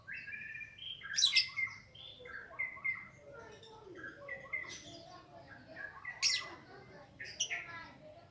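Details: Yellow-vented bulbul giving ngropel ngalas song, the wild-type nonstop style, serving as a lure for training new birds. Spaced, liquid whistled notes and short phrases with a few loud sharp chirps, fairly quiet overall.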